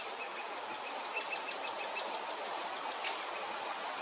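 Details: Great Spotted Woodpecker chicks in the nest during the breeding season, fed by both parents, give a constant, harsh, buzzy chatter with quick high ticks running through it and no clear pauses.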